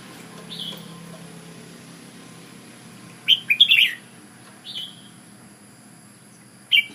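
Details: Red-whiskered bulbul, Ubon decoy-style song: a short whistled note, then a burst of several rapid, tumbling notes mid-clip, followed by single whistled notes, against low background hiss.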